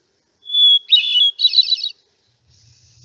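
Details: Hermit thrush song from a bird that winters in Santa Barbara: a long, pure whistled opening note, then two quick fluttering, flute-like phrases at a higher pitch, followed by silence over a faint low rumble.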